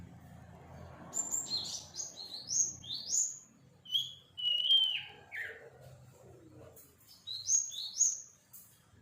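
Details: Juvenile sirpu practising its song: clear, high, rising and falling whistled notes in short irregular phrases, a few lower slurred notes in the middle, with faint background murmur.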